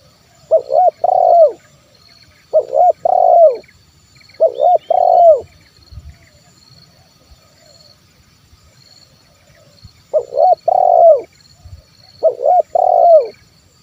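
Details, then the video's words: Repeated 'kuk 1' style coos of a spotted dove, locally terkukur, used to lure wild birds and prompt quiet birds to call: five phrases of stuttered notes and a descending purr, spaced about two seconds apart, with a gap midway. "SUARA TERKUKUR KUK 1 MEMANGGIL BURUNG LIAR"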